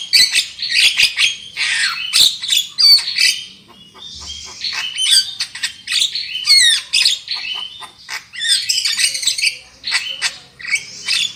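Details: Black-winged myna singing on a lure recording for prompting loud song: varied harsh squawks, rasping chatters and some whistled slurred notes in irregular bursts, with a short quieter pause midway.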